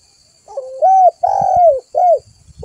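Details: Spotted dove (tekukur) lure call used to draw other doves in: a short low lead-in then three loud arched coos around 600–800, the middle one longest, with faint low thumps beneath.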